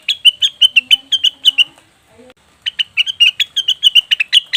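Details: Leafbird, cucak wilis or rengganis, recorded as a lure to prompt wild birds to sing: rapid bright chirps repeated many times a second, a short pause midway, then the fast chirping series resumes.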